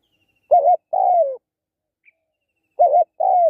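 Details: Spotted dove calling twice: each phrase is a short quavering coo and then a fuller, longer coo that falls away. A single tiny tick sounds between them in otherwise silent surroundings.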